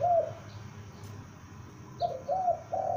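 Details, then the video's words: Young spotted dove, a lure bird, calling loudly: one short hollow coo, a long quiet gap, then three mellow coos in quick succession with a faint high chirp nearby. "Tekukur Pikat gacor anakan Berbunyi Memanggil"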